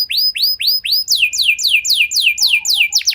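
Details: Canary song used to prompt other canaries to sing: rising curved whistles about four a second, then a series of descending swept notes, with a faint low tone near the end.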